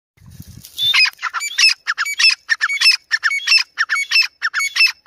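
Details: Grey francolin, in a comparison of Dakni and Irani teetar types: after a low rumble at the start, a rapid run of harsh, chattering phrases with bright whistled notes, repeated about twice a second.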